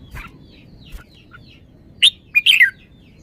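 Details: Red-whiskered bulbul noted for good song phrasing gives a quick, ringing phrase of three or four loud whistled notes after a second of faint distant chirps from other birds.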